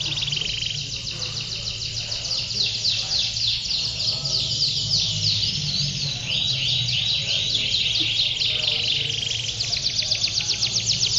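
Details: Several male canaries singing nonstop (ngedur) at a canary song contest in Pondok Cabe Udik on 21 February 2016: dense, overlapping rapid trills and chattering phrases filling the whole stretch, faint background voices.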